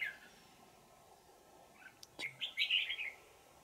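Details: Wild old red-whiskered bulbul, caught on 20 December 2018 while being trapped with a decoy bird. After near silence and a couple of faint clicks, one quick, bright, warbling phrase of about a second rises and falls at the end.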